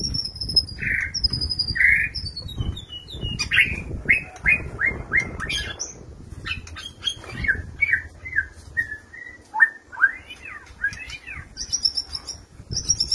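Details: Male white-rumped shama courting a female in a compact stacked breeding cage, opening with high thin whistles, then a run of repeated rising notes, then looping slurred phrases, with faint wing flutter and background rumble.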